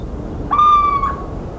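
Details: Little owl, countryside of central France, 17 March 2019: a short plaintive whistled hoot, rising briefly then easing downward, lasting about half a second above steady low-frequency background noise.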